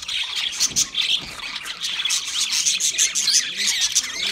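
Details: Several pet budgerigars singing, mixing sharp squawky notes into a fast, scratchy, twittering warble that surges and dips in volume.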